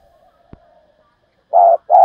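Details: Spotted dove lure call in the 'thúc' style meant to draw wild doves in quickly: faint drawn-out coo trailing off, then two loud, deep, rounded coo notes close together at the end.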